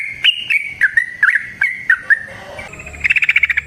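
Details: Yellow-vented bulbul (trucukan) singing a long 'ropel panjang' lure song: rounded, gurgling chirps at a steady mid pitch for over two seconds, then a faster run of rapid, bright repeated notes.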